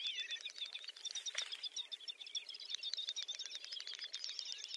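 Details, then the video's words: Lekking Great Snipe, Ryazan oblast, Russia, in April 2019, giving a dense, softer chatter of fast high clicks and bubbling twitters that run on without pause, several birds calling at once. "Дупелиный ток Gallinago media / Lekking of Great Snipe"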